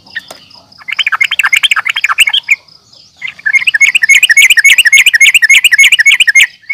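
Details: Sooty-headed bulbul (trucukan) fighting calls meant to provoke rivals: fast trilled chatter of rapid chirps, about 214 a minute, pausing briefly near three seconds before resuming louder, with a steady thin high tone behind.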